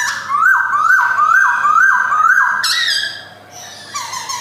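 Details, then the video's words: A male white-cheeked black-throated laughingthrush (Garrulax chinensis) repeats a loud, rising, siren-like whistle about twice a second, then breaks into higher chattering notes. "POKSAY BIRD GARRULAX CHINENSIS SINGING"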